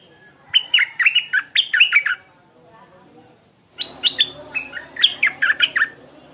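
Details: Stripe-throated bulbul singing in the morning: two bubbly phrases of quick, warbled, up-and-down notes, the second following a short pause, with a faint low hum behind.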